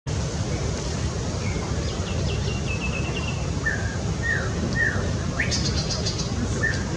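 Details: White-rumped shama, introduced in Taiwan, recorded at Taipei Botanical Garden, singing a quiet, varied run of short slurred whistles and quick trills over a steady low rumble of traffic.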